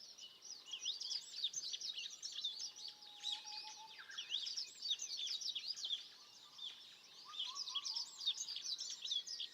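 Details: Wild birds singing in Gotjawal forest on Jeju, South Korea: a dense chorus of high, quick chirps and twittering notes overlapping without pause, with a few lower drawn-out whistles and short trills beneath.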